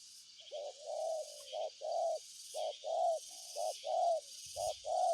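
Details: Rhythmic low cooing of a spotted dove, short and long notes alternating about once a second, with buzzing insects above and a brief thump near the end.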